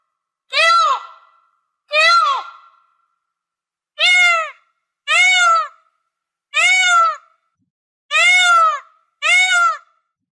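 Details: Seven loud, nasal, wailing peafowl calls, each about half a second, arched in pitch and repeated roughly every one to one and a half seconds with brief silences between.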